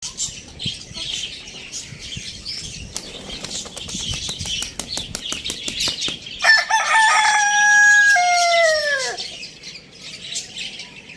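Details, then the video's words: Rooster crowing: after several seconds of busy background chatter, one loud, long cock-a-doodle-doo with stacked harmonic bands that holds steady, then bends downward and fades at the end. "Rooster crowing sounds compilation | Rooster crowing sound effect"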